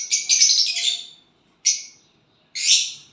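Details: A violet bird chirping when it has a partner: a rough, scratchy burst of high chirps, then two more separate harsh, buzzy chirps spaced about a second apart.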